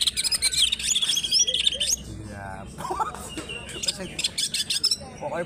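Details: Greater green leafbird from Alas Purwo, Banyuwangi, a hard-singing fighter bird; packed bursts of high chirps and slurred whistles, a brief lower buzzy phrase midway, then staccato chattering notes.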